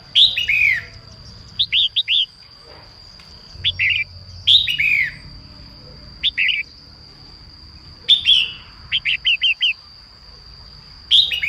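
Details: Female red-whiskered bulbul singing at morning to prompt males to sing: an alternating series of sweeping, descending warbled phrases and quick clusters of three to four short upslurred notes, repeated several times, with a steady thin background whine.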